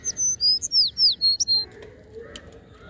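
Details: A quick string of about eight piercing, high whistled notes from sparrows, several sliding downward, fills the first second and a half, followed by quieter murmuring background.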